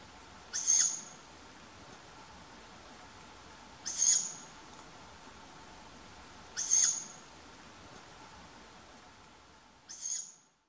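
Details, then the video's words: A young tawny owl begs its parents for food with four hoarse, high, wheezy hisses about three seconds apart, on a quiet May night in Funbo, east of Uppsala, Sweden. Tawny owl. "Kattuggla unge läte"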